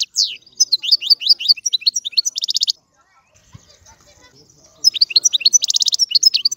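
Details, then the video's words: European goldfinch song: a fast string of bright, swooping twitters ending in a buzzy trill, a few seconds of near silence, then another burst of tinkling notes and a dry trill. "الحسون - هذا الطائر يغني. بأجمل صوت موجود في البرية"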